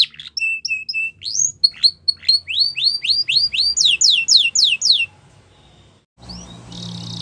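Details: Training song of a Yorkshire canary for young canaries: short steady whistles, then a fast series of rising and falling sweeps, ending in silence and a brief noisy burst.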